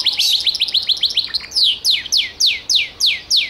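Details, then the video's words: Gloster canary singing a quick stuttering trill that gives way to a slow series of loud falling whistles repeated roughly every third of a second. "CANARIO GLOSTER"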